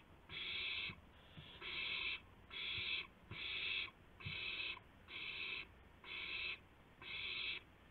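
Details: Night owl recording at 2:51 AM, 2 April 2016, as a gopher is brought in. Steady series of broad, rasping hisses, each under a second, separated by short gaps, with soft low thuds between.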